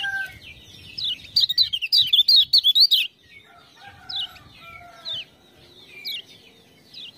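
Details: A Lemon-bellied white-eye (kecial kuning, Lombok) is drawn into lively song by 'ciak-ciak' sounds. In the middle a loud run of rapid, clicking ticks mixes with high wavering notes. Scattered sharp chirps and soft lower whistles follow.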